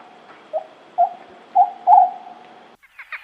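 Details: Owl gives four short, low, hollow notes at roughly half-second intervals, growing slightly louder, over a steady faint hum, followed by a brief higher clatter at the end.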